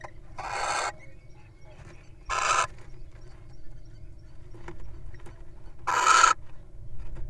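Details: Wild incubating little owl feasting on a mouse produces three short, harsh hissing rasps at uneven intervals, separated by quieter low-pitched background noise.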